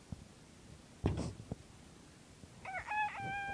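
A bantam rooster starts a high, strained crow in stepped, ringing notes that is cut off near the end, after a thump and a click.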